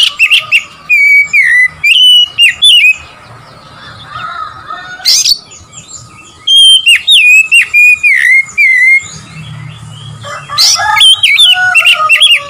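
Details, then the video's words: Provocative song of an Oriental magpie-robin aimed at rivals: repeated bursts of loud slurred whistles mixed with sharp clicks and rasps, split by quiet pauses with soft background chirping. "memancing emosi Kacer lawan"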